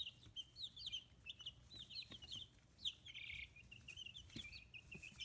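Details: Free-range chicks at fifteen days old, feathers growing, in Kitahiroshima, Hiroshima Prefecture, Japan, keeping up a steady chatter of thin high peeps and short trilled notes, one brief buzzy burst, over low steady background noise.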